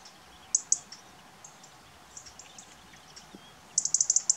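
European robin giving sharp, very high ticking notes: two single ticks, then a quick burst of about six at the end, over a quiet background.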